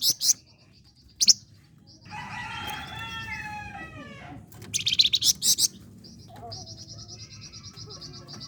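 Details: Flame-breasted flowerpecker singing energetically, used as a lure to stimulate contest songbirds: high thin chirps and trilled bursts, with a louder stuttering burst near the middle, over faint background hum.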